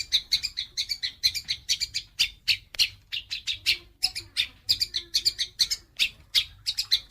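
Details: House sparrows fighting: a dense, excited series of sharp, high chirps in quick irregular bursts, several overlapping, with barely any pause between them.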